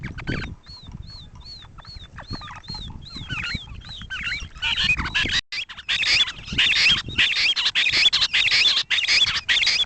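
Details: Grey francolin calling in an original recording made in 2010: a steady series of arched, whistled notes repeated nearly twice a second, then growing louder and harsher, over crackling background noise.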